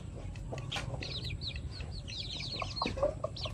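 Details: Short burst of high, sharply falling peeps from a group of pet chickens, overlapping one another above a constant low background drone.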